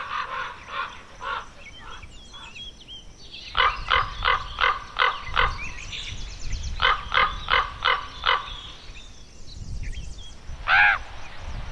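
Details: Young common ravens in Côtes d'Armor, France, making dense bursts of rapid harsh croaks in quick runs, with pauses between, a final loud rasping call, and faint small-bird chirps behind.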